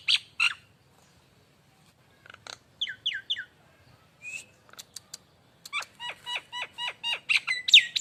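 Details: Nias hill myna lure song from an energetic bird: scattered clicks and short whistles, then a fast run of repeated downward-slurred whistled notes building to loud harsh calls.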